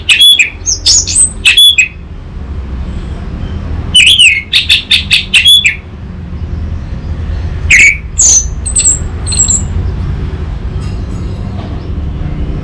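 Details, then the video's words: Lure and master song of an orange-headed thrush, recorded in Singaraja, North Bali, for training a young bird. Scattered bright whistled phrases and sharp chattering bursts, then thinner high whistles fading out, with faint background rumble. "Pancingan dan Masteran Burung ANIS MERAH Bahan"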